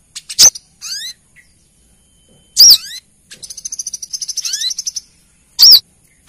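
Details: Loud sharp chips from a female Brown-throated sunbird calling the male, three of them spaced over six seconds, around a long accelerating high ticking trill and thin rising sweeps.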